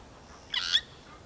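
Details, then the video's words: A glossy starling in Kruger, Africa, in early June 2023 gives a single harsh, grating note lasting about a quarter second, with a faint whistle inside it. The background is quiet. "Sound of a Glossy Starling"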